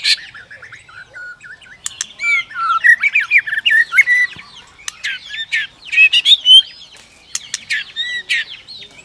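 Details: White-rumped shama provoking another shama to sing in competition, clicking continuously with tail flicks; rapid tumbling whistled phrases mixed with crisp clicks, swelling into a busy warble.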